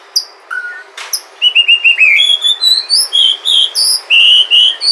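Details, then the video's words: Song of a white-rumped shama from Sumatra, played as a lure to set other shamas singing: a few scattered whistles and a sharp click, then a varied run of bright, rising whistled notes climbing higher in pitch. "Pancingan suara murai batu asli sumatra"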